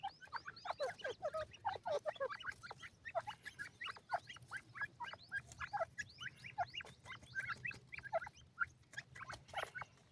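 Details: Young grey francolins from Pakistan feeding and playing: a busy, continuous chorus of thin, high, downslurred peeps from several chicks over a soft low hum.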